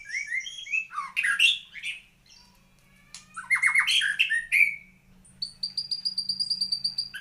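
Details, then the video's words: White-rumped shama in full song: loud, varied phrases mixing rich whistles with harsh, squawking notes and buzzy trills. The song ends in a fast run of sharp, evenly repeated high notes. "Kicau Murai Batu"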